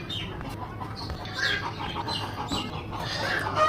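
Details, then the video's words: Domestic hens raising a clamour, possibly after laying an egg, heard from a home kitchen: repeated harsh, squawking cackles with rising notes, moderately loud over faint household background noise. "আপনারা কি মুরগির চিল্লাচিল্লি শুনতে পাচ্ছেন? হয়তো ডিম পেড়েছে, ডিম পারলে ওরা এমন করে চিল্লাচিল্লি করে।"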